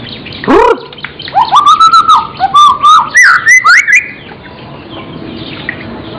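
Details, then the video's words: Murai, a caged Indonesian songbird, singing vigorously with mimicry. A quick swooping note opens a string of whistled phrases that wander up and down in pitch, broken by clipped high chirps. "burung murai gacor isian"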